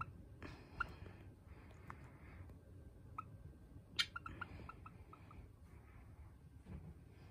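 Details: Pet Java sparrow playing hide-and-seek indoors, fond of burrowing under things; gives short, sharp chip notes, mostly single and irregular, with a quick run of soft chirps near the middle, over low indoor rustling.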